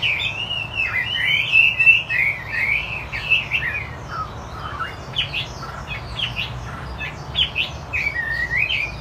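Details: Chinese hwamei of the 'wambi putih' (white-brow) type, singing 'gacor', in full lively voice. Loud, varied whistled warbling of rapid rising and falling phrases, shifting into short clipped notes and sweeping slurs, continuous over a faint low background hum.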